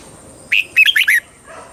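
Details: Single brisk phrase from a caged red-whiskered bulbul in Thailand, southern master style, used to stir caged birds and train young ones: one opening chirp followed by three quick, looping whistled notes.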